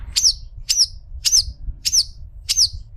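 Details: Long-tailed shrike tutor song meant for other shrikes to learn: five identical sharp, high, hooked notes spaced about half a second apart, over a faint low hum.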